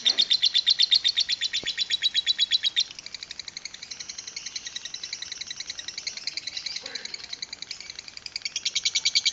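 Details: A lovebird's long chatter, 'ngekek panjang' in the 'kereta uap' (steam train) style: loud fast chirps, a single sharp click, a softer continuous rattle, then vigorous chirping again at the close.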